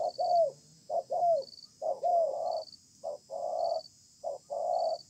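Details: Newly trapped wild spotted dove cooing persistently in a contest beneath a communal stilt house: short notes alternating with long drawn coos, some drooping at the end, and regular high-pitched beeps behind.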